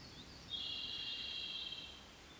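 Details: Japanese robin in budding larch forest on the Daibosatsu range, Kōshū, Japan, at the start of the summer mountain season alongside spring cicadas, gives a fast, rattling high trill held for nearly two seconds over soft forest hiss.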